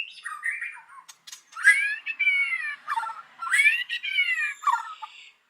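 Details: White-rumped shama singing in the morning as a lure for other birds: harsh, nasal, drawn-out notes with sliding pitch, mixed with short chattering phrases.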